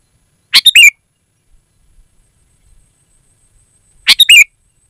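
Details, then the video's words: Sooty-headed bulbul song, used as a lure for wild forest birds and as a tutor for caged ones. Two short bursts of quick chirpy notes, each ending in a bent whistled note, about three and a half seconds apart over near silence. "Suara Burung Kutilang Gacor, Asli tanpa isian, Lantang dan Jernih Ampuh untuk Suara Panggilan"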